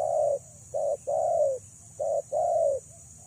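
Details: Decoy female spotted dove calling to attract males: deep, soft cooing in alternating short and long notes, the longer coos gently falling in pitch, repeated about once a second over a quiet background hum.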